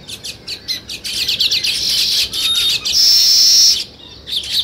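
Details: Chirping sparrows beside weaver birds building their nests: quick, sharp chips that run together into a sizzling chatter, then a steady high whine before the chips resume.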